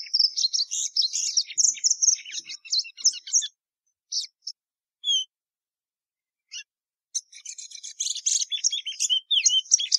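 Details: Plumbeous seedeater, called patativa verdadeira, warbling busily with high chirps and whistles, falling to a few scattered notes during a quiet spell, then resuming with dense, rapid twittering.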